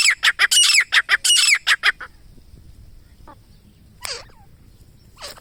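A grey francolin gives a fast burst of loud, harsh, squealing notes, about nine in two seconds, then a few quieter, spaced calls follow.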